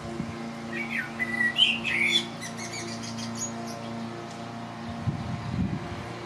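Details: Common blackbird, a male perched on a neighbour's roof in Lower Hutt, New Zealand, on a breezy late-spring day, sings clear fluting whistled phrases in a short burst, over the steady low drone of a neighbour's lawnmower.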